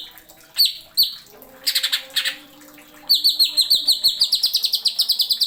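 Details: Cucak ijo, the greater green leafbird, as masteran tutor song: two isolated sharp notes and harsh rasps, then a long rapid series of clear, ringing, slightly descending whistles.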